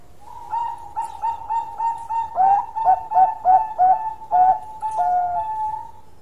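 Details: Bangkok zebra dove singing at length, with soft, quavering coos that speed into a string of clipped, falling notes, then slow into a long sustained coo.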